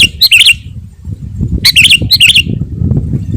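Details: Two short bubbling phrases from a Sooty-headed bulbul, used to attract wild birds and provoke rivals, each a quick cluster of slurred whistles, set against a steady low rumble.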